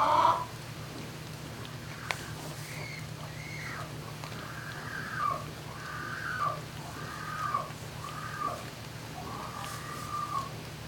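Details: Inside a turkey barn at night on 11-05-2018, 20:41–21:41: a series of short, rising, upslurred call notes repeated roughly once a second, following a loud opening call and a sharp click, over a low steady hum.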